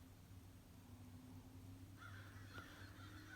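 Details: At a feeder visited one morning by at least 60 crows, quiet background gives way after two seconds to a string of hoarse caws from several distant birds, with one sharp tap.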